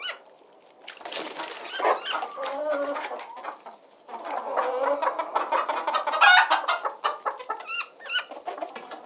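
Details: Chickens cluck and squawk in overlapping bursts after a quiet opening, mixing low warbling murmurs with sharp high chirps and a loud flurry near the end.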